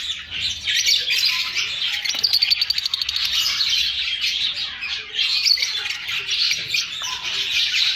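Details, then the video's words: Continuous lovebird chatter: many shrill, overlapping chirps and squawks blend into a steady high-pitched din, with brief buzzy bursts around the middle and no other clear sounds. "Love birds singing & chirping sounds"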